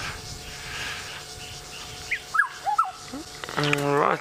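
A Black-hooded Oriole gives a brief run of four or five liquid, fluting whistles, some rising and some falling, over a low hiss, before a man starts talking.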